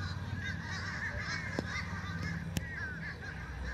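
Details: A group of fish crows raising a ruckus, dense overlapping nasal caws throughout, punctuated by two sharp knocks, all above a heavy low-pitched hum.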